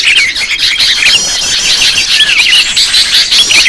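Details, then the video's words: Sooty-headed bulbul lure sound with a loud, busy flock: overlapping chirps and twittering notes crowd together, with a few clearer whistled phrases that slide downward standing out above the continuous high-pitched chatter. "Suara pikat burung kutilang ribut terbaru"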